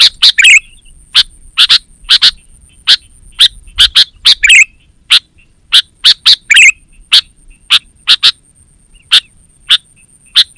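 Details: Sooty-headed bulbul, energetic call used as a lure for wild birds in forest and as a master song for training caged bulbuls: sharp, bright chips at irregular intervals, with occasional bubbly warbled phrases and a steady faint high whine.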